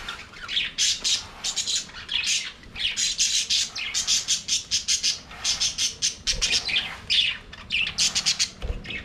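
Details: Budgerigars singing and playing in their aviary: continuous loud, scratchy warbling chatter of rapid squawks and chirps, rising and falling in quick bursts throughout, with no other sounds standing out.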